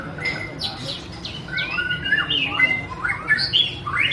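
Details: White-rumped shama song from 2017, the bird singing and dancing: harsher chattering notes mixed with whistled upslurs and downslurs, growing louder toward the end, over low background noise.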